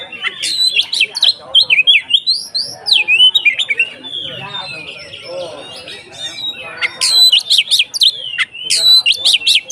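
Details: Kacer (Oriental magpie-robin) konslet ngeplong song meant to fire up other kacer: fast looping whistles and slurred notes, then dense bursts of harsh, buzzy chatter repeated in quick succession, with a faint low murmur beneath.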